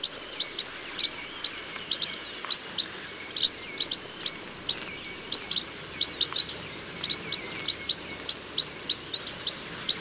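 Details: Rice-field chestnut munia calls: a busy series of thin, high peeps and quick doubled chips, denser and more overlapping than single-bird calling, over a continuous high hiss.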